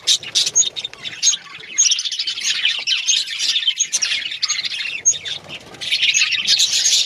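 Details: Several pet budgerigars warble and twitter nonstop, a bright overlapping jumble of chirps, squeaks and short whistled notes that swells louder toward the end.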